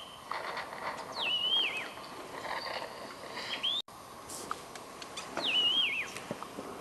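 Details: Scaly laughingthrush calling at Eaglenest, Arunachal Pradesh, India: two clear whistled phrases, each sliding down with a wavering, slurred ending, about four seconds apart, over a soft background hiss with faint clicks.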